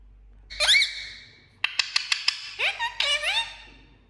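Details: Indoor pet green parakeet producing a sliding squeaky whistle, then a quick string of sharp clicks and a couple of upward-bending warbled notes.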